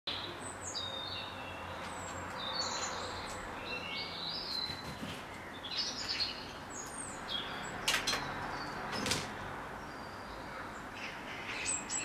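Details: Great tit giving short, sharp high chirps and twittering notes at an irregular pace, over a steady hiss of outdoor background noise; recorded 10 April 2016.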